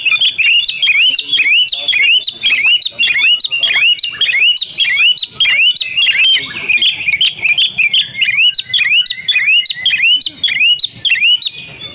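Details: Female kacer, the Oriental magpie-robin, calling energetically as a lure for silent males: a long fast series of upswept whistled notes, almost two per second, repeated steadily with little pause.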